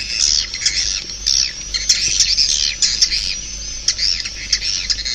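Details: Swiftlet calls: a constant shrill twittering of many overlapping birds, with rapid squeaky chirps and thin whistled strands running through a busy high chorus.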